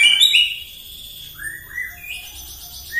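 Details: White-rumped shama song used in the morning as a lure to provoke other birds: a bright high whistle and chatter opening, then quieter falling and rising whistled phrases, ending on a sharp upward note.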